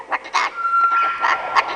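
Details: Rescued parrots at a British Columbia refuge, Canada, answering visitors' greetings by copying people; short harsh squawks and voice-like bursts over a long, pure, level whistled tone held for about a second.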